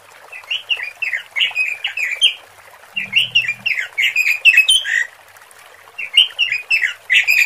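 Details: Female robin calling to attract males: bursts of harsh, squeaky chattering notes rising and falling, in three runs separated by short pauses, with a faint low murmur in the background.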